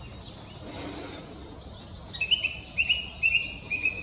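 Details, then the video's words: A mistle thrush (Turdus viscivorus) at Pateira, Espinhel, Portugal, on 16 March 2017 sings a run of five short, clear whistled phrases at a steady pace after a faint high sweep, over a steady outdoor hiss. "Canto da Tordoveia, Turdus viscivorus"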